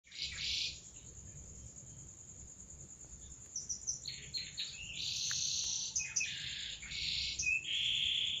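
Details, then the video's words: Canary singing in the seri loper style. A long sustained high whine runs throughout, then loud rolling buzzy trills and chirps start halfway and continue to the end. "Kicau burung kenari seri loper"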